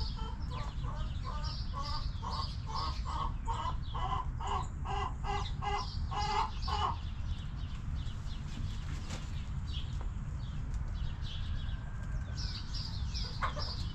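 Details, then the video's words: Hens clucking in a backyard coop: roughly seven seconds of rapid, evenly spaced harmonic clucks, then quiet with only faint high chirps from other birds and steady low background rumble. "Rooster Crowing! Hens Clucking!"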